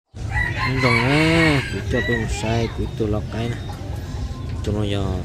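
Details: Young F2 red junglefowl of a Hmong singing line, recorded 23/12/2025: one drawn-out arching crow, then a run of short, clipped harmonic calls, over a steady low hum.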